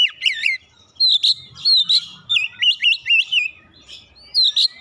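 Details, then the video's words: Energetic Oriental magpie-robin song used to stimulate a quiet bird to sing: rapid series of looping, warbled whistles and bright sweeping notes in close, rhythmic bursts, a faint low rumble underneath. "merangsang Kacer malas bunyi langsung gacor"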